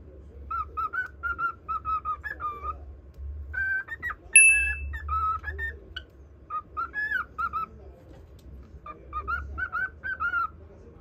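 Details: Cockatiel whistling to a budgerigar, delivering quiet phrases of wavering whistles separated by gaps, with one sharp high whistle in the middle and a low background hum.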